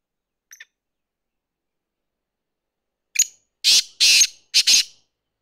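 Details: Black francolin, kala tetar, calling after a long silence with three harsh, grating bursts in quick succession and one faint short note earlier.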